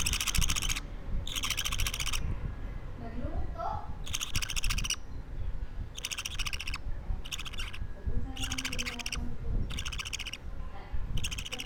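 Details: Baby budgerigar, two weeks old, repeating rough rasping bursts at uneven intervals, some long and some clipped short, with faint soft voices and low rumble in the background.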